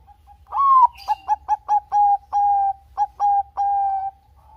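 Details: Zebra dove of Bangkok stock in full song, used to spur other doves into singing: a loud, slightly rising opening coo, then quick clipped notes leading into longer level coos, uneven rhythm of about eleven notes, mellow and clear over quiet background.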